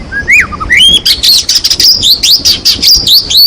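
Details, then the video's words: Lively white-rumped shama song for provoking other shamas to sing: rising slurred whistles opening into a fast, loud stream of varied sweeping high notes and chirps. "sangat ampuh untuk pancingan murai malas bunyi. langsung gacor dan emosi bongkar isian"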